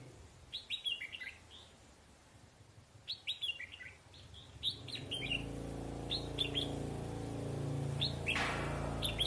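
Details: Red-whiskered bulbul used as a trapping decoy in Bắc Giang, northern Vietnam, almost through its moult, calling ché chéc: short, clipped chirps repeated in quick bursts, with a steady rumbling noise rising in the second half.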